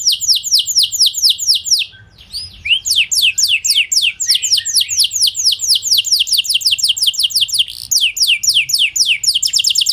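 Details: Singing canary meant to provoke other canaries to answer: long, rapid rolls of repeated downward-sweeping high notes, nearly continuous, with a short pause and scattered chips around two seconds.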